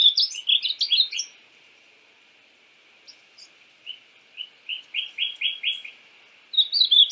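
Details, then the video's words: {'text': 'Painted bunting (Passerina ciris): a fast high warble, quiet, then a slow series of evenly spaced single whistled notes, ending with another short twittering burst.'} "Conheça o belo canto do pássaro estamenha pintada (Passerina ciris)"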